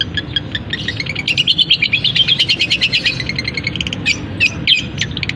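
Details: Long-tailed shrike, a caged bird, in a varied mimicking song with canary-like phrases: rapid trilled chatter and sharp repeated notes, dense and fast, over a low background hum.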